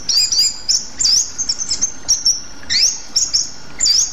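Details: Rueck's blue flycatcher of Sumatra sings very high, thin, twittering phrases with rapid upslurred and looped whistles, repeated in short bursts about every half second to second.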